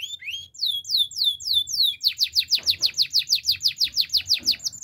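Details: Belgian canary in the morning singing a training song: a series of slurred descending whistled notes, then a long, very regular run of falling chirps repeated about four times per second.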